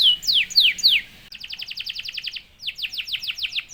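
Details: Canary singing to provoke rival canaries: a few loud falling whistles, then a rapid even rattle of short notes and a run of quick descending sweeps.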